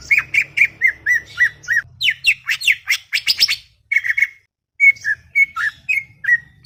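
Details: Talkative greater green leafbird at a garden, delivering a run of repeated clear whistled notes, a rapid burst of high sweeping chips, then more evenly spaced whistles; low hum in the background.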